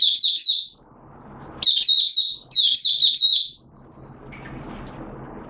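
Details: Caged Malaysian Oriental white-eye, minor moult, 2 April 2023, performing buka sing: separate short phrases of high, sweet, descending chirps, with hissy background noise and one faint distant note.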